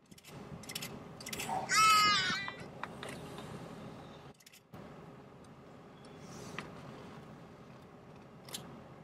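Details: A Hadada Ibis (Bostrychia hagedash) in Akagera National Park, Rwanda, in March 2013, gives a single loud, nasal, rasping squawk of about half a second, followed by quiet hiss and a few faint clicks.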